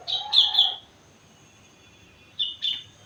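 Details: Four-month-old sooty-headed bulbul singing imitations: a loud bright slurred phrase with a lower warble beneath, a pause, then two short whistled notes.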